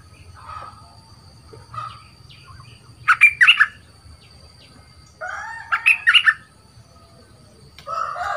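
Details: Caged young bulbul being trained as a new decoy bird, kept two months, described as big-voiced: two loud bursts of rapid, warbling chirps about three seconds apart, with faint notes between and a quiet background.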